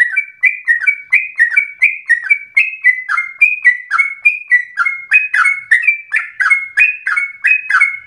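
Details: Sooty-headed bulbul singing rapidly and persistently, played to provoke and train other birds; a long, even series of short falling whistles, nearly three per second, alternating higher and lower notes throughout.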